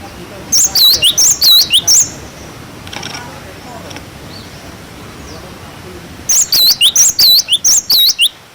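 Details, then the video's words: Two bouts of 'wucit wucit' song from a cinereous tit, recorded to tutor young birds: each is a rapid string of bright, high, slurred whistles, separated by several seconds of quiet hiss. "Masteran glatik batu wucit wucit"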